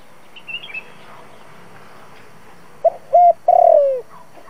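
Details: Spotted dove decoy coo, used as a trapping lure for wild doves: after faint high chirps, a low cooing phrase of short notes and a long downward-sliding note closes the recording.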